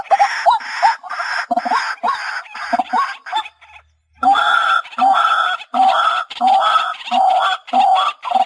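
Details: White-breasted waterhen calls used for hunting, a run of loud, nasal, honking notes repeated roughly every half second, with a short break near the middle before the steady series resumes.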